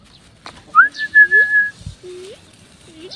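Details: A myna looking for food gives a clear, steady high whistle, then a few short rising slurred whistles lower in pitch, over a faint background murmur.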